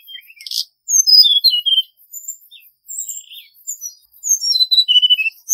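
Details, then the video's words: Male Hill Blue Flycatcher song played as a trapping decoy, softer and thinner here: scattered high whistles drop in short descending runs between quiet gaps. "Tiếng chim Hồng hạnh trống mồi"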